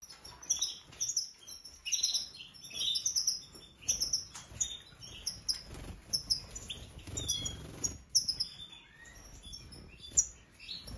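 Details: European goldfinch, a colour mutation, singing: rapid, bright tinkling twitters and liquid trills, high-pitched and continuous, broken into short bursts with quick chirps between phrases, and faint low rustling in the background.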